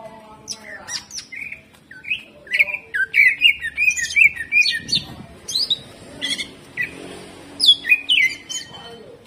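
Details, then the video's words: Greater green leafbird 'jamtrok' song in varied bursts: sharp whistles, quick slurred chirps and brief trills, broken by short gaps, the notes high and coarse. "CUCAK IJO GACOR HYPER TEMBAKAN KASAR"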